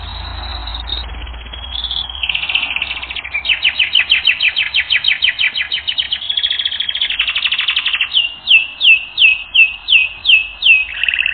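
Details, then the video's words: Canary song from a training recording: soft buzzy opening, then long, fast, evenly pulsed rolls at high pitch, ending in a series of clear, repeated downslurred whistles about twice a second. "Canary Training Record N°10"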